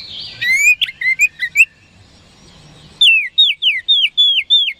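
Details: Song of the oriental magpie-robin, known locally as kacer, played to make rivals respond: a jumbled series of short rising twitters, a quiet gap, then six strong downward-slurred whistles in quick succession.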